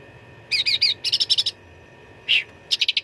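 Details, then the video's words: Grey-bellied bulbul (cucak ranting) singing a dense fighting song used to train contest birds: quick wavering high notes, a rapid buzzy series, one strong squeaky note, then fast clipped pips. "CUCAK RANTING GACOR TERBARU 2025 _ SUARA TARUNG FULL ISIAN !!!"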